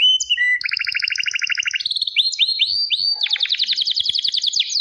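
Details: Domestic canary in full song, delivering long even trills of rapid notes, then a run of rising whistled upslurs and a bright high rolling trill, all loud and clear.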